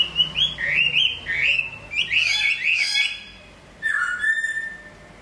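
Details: Caged hwamei in moult produces a string of loud rising whistled slurs, clustered and overlapping, followed by a short pause and a lower, descending whistle with bright higher notes.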